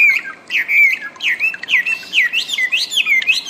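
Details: Wambi song for training cage birds: a quick string of looping whistled notes, each dipping and rising, repeated almost without pause.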